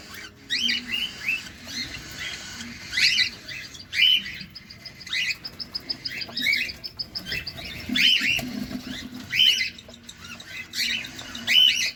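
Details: Caged cockatiel feeding close up; bursts of scratchy chirps and squawks arriving every second or two across twelve seconds, with background rustling and a faint low hum.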